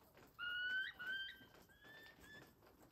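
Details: Wild turkey at a ranch in Westbrook, British Columbia, on 26 September 2023, giving a clear whistled call: a loud, level note held for about a second, then softer drawn-out whistles trailing off over the next second.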